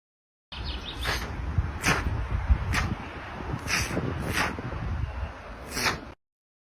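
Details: A Common Ostrich gives about six sharp, breathy warning hisses over five seconds, unevenly spaced, over a steady low rumble.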